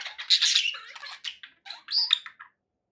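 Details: Short pet budgie outburst: a loud scratchy warble, then a few separate squeaks and a high whistled chirp before silence.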